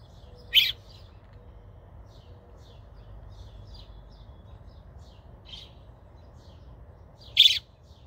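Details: A baby American robin calls for its mother, who calls back from nearby: two loud, sharp, high chirps about seven seconds apart, with faint thin chirps between over a low background hum.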